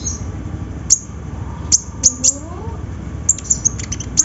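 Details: Sunbird singing as a lure to prompt hesitant birds: scattered sharp high ticks, then a quicker burst of thin chips near the end, over a faint curving whistle lower down.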